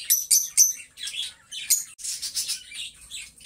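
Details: Lovebird pair kept as pets, singing and talking: a few loud sharp whistled chirps spaced about a quarter second apart, followed by softer, rasping twittering chatter.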